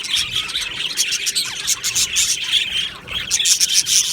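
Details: Many budgerigars chattering together in an aviary colony, 22 June 2025: a busy wall of high chirps and thin whistled notes, rapid and unbroken, with brief pulses of louder tweets.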